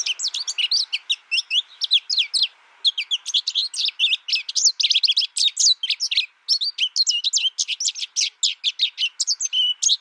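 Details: American goldfinch kept in isolation during its first year, learning from a played tutor recording, delivers a long, dense run of sharp tweets and twittered notes with only brief gaps, high-pitched and jumbled throughout.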